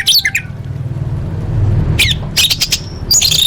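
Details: Contest training song of an orange-headed thrush with full fill-in phrases: brief chirpy bursts at the start and end separated by a quiet stretch of low background hum.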